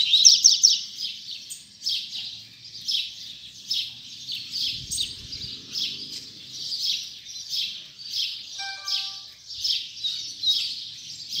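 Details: A Double-collared Seedeater (coleiro) at its final 2019 puxada keeps up steady, evenly pulsed high chirping phrases, loudest at the start, over a quiet low background rumble.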